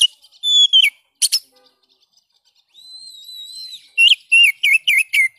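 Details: Oriental magpie-robin song meant to coax silent birds into singing: a loud slurred whistle and rattle, near silence, a long thin level whistle, then five quick loud whistled notes.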